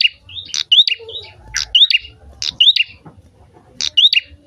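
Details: Prinia sings loudly to spur other birds into song: a few uneven phrases of high piercing notes, rising whistles and short buzzy trills, with brief pauses and faint low background sounds.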